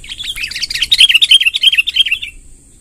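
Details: Sooty-headed bulbul long rolling song, used to call in wild bulbuls: one unbroken rapid trill of bright, bouncy chirps lasting over two seconds, fading at the end, with a steady high-pitched whine.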